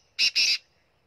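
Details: Punjab black francolin, known locally as kala teetar, giving two loud rasping notes back to back, harsh and buzzy, with near silence around them.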